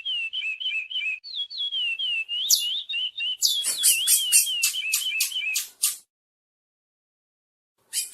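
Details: Chestnut-bellied seed finch pair in song, with rapid looping whistled phrases for about three seconds, then a run of quick harsh rasping notes, a pause of near silence, and one final burst.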